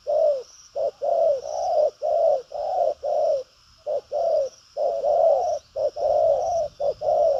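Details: Spotted dove, a field-type bird described as a strong cooer with lively, bustling manners, giving urging coos with trailing 'lèo' notes: low, rounded hoots in short-long pairs about once a second, steady and loud, with a faint high whine behind.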